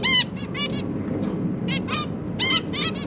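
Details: Newly hatched zebra finch babies with their parents feeding them, 1 October 2022; a run of clear nasal harmonic calls, some doubled, several within three seconds, over soft background noise.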